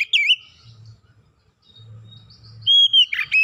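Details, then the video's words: Oriental magpie-robin song for luring birds to sing: a short whistled slur, a long quiet gap with low hum, then a drawn-out whistle and rough burst at the end. "PANCINGAN KACER LANGSUNG GACOR NGEPLONG NGOTOT BONGKAR MATERI ISIAN"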